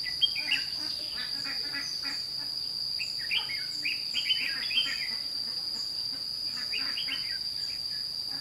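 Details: Red-whiskered bulbul used as a lure bird to call in wild birds during trapping at Thanh Liem, 29 May 2016. It gives bright warbled phrases in bursts over a steady, shrill insect drone.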